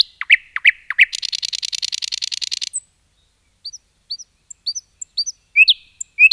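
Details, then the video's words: Common nightingale singing in a forest, starting with loud swooping notes, then a long fast buzzy rattle, followed by soft high chirps and a few louder whistles near the end. "Nightingale song"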